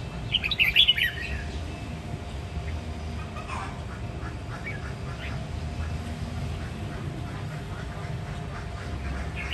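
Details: A single short, bright warbling burst opens the passage from a red-whiskered bulbul of Vietnam's Sông Kon, Quảng Nam line, in 'ché nẹt' song style. Faint rumbling noise continues alone for the rest.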